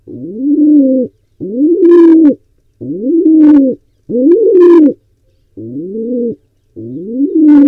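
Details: Deep rolling coos from a wild pigeon trying to breed at a barn owl and pigeon nest cam in Israel, six steady phrases close together, some joined by brief higher rustling bursts.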